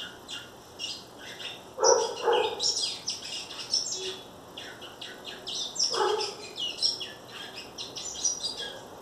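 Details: Captive-bred great-billed seed finch in brown plumage from a breeding aviary in Vila da Penha, Rio de Janeiro, Brazil, singing in the churrilhando style: rapid, dense high chirps and twittering phrases, with lower harsh barking bursts, likely a dog, twice.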